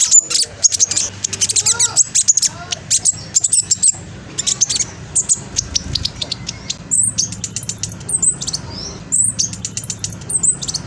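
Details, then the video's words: Young spotted black sunbird from East Java, Indonesia, recorded on a phone and used as a lure to provoke other birds to sing. It gives a fast, shrill, very high chattering of sharp chirps and short trills in quick bursts, with faint hum below. "PANCINGAN KING KONIN TROTOL AMPUH BUAT KING KONIN LAIN CEPAT BUNYI"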